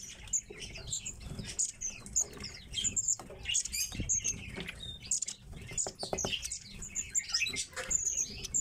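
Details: Tits kept in captivity at home, several birds giving thin, high, short chirps in quick irregular bursts, mixed with rustling, pattering and wing flutters from movement in the enclosure.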